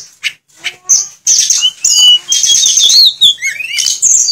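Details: Sulingan singing with borrowed phrases: a few isolated high chips open, then a rich, unbroken run of shrill whistles, warbles and rising and falling slurs.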